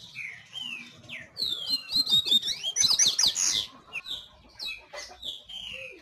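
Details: Double-collared seedeater singing: single slurred whistles lead into a rapid, dense twittering phrase, followed again by separate high whistled notes with pauses between them.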